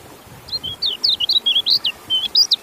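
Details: Short, lively white-eye phrase of high, quickly swooping chirps and brief flat whistles strung closely together, loud and clear against a quiet background.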